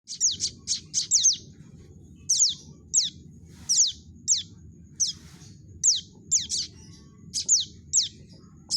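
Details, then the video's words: Prinia chicks calling, used as a lure for trapping birds: high, sharp chirps sliding downward, in quick bursts of four or five, then single calls spaced about half a second apart; faint low hum underneath. "suara panggilan anak burung prenjak untuk pikat"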